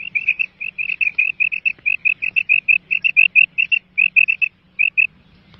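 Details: Calls of a female quail recorded in Mianwali, Pakistan: dense, evenly pitched chirps strung in rapid groups, nearly continuous for four seconds before a short pause and a final pair, with a steady low hum underneath.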